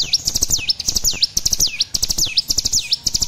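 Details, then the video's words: Young olive-backed sunbird learning to sing: high, thin whistled notes sweeping down then sharply up, looped in quick repeated phrases, with rapid chirps and ticks between them. "Cigun trotol belajar bunyi."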